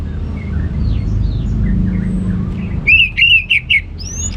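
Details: Orange-headed thrush, ngeplong gacor singing: after soft distant notes, a brief bright sequence of warbled whistles and a final rising note near the end.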